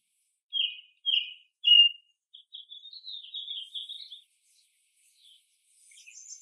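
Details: American robin singing among robins of different ages that forage and call in a mixed bird chorus: three clear caroling whistled phrases about half a second apart, followed by a rapid run of soft twittering notes that rise slightly, with faint high chirps after.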